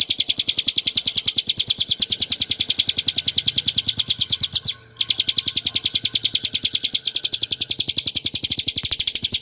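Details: Bar-winged prinia, subspecies montana, giving clear ngebren song meant as a training model for caged birds: a rapid machine-gun series of high sharp notes, cut by one short gap midway, then continuing at the same pace.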